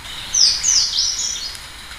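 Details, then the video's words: Slate-blue seedeater song: a brief, sweet run of high whistled notes, each sliding downward, delivered in a quick two-part phrase lasting about a second over quiet background hiss. "O canto do Negrinho mexicano ( Amaurospiza concolor )"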